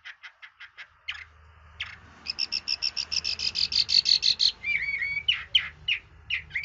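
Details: Red-whiskered bulbul in varied, voice-switching song: soft ticking notes open, then a bright rapid series of high buzzy trilled phrases and slurred whistles, over steady low background rumble.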